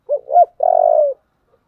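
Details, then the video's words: Spotted dove of 'giọng thổ' voice style, 'thúc' and 'gáy gọi' cooing: one clear phrase of two short rounded hoots followed by a long, evenly pulsing low coo that fades out. "Cu gáy giọng thổ/ chuẩn thúc và gáy gọi"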